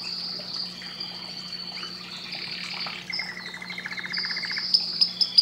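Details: A canary sings a long thin high whistle, then a fast buzzy rattle of repeated notes and a few sharp chips at the end; low hum in the background.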